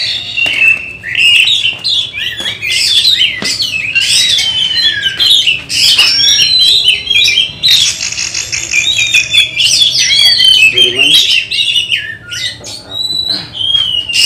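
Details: Oriental magpie-robin trained for a songbird contest, singing long continuous loud phrases of whistles, harsh squawky notes and chatter, with a lower rattle near the end.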